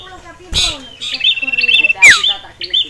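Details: Sirtu song, excited at seeing a male and female rival: short, bright whistled notes with a sharp descending slur, broken by a few loud, dry clicks and taps.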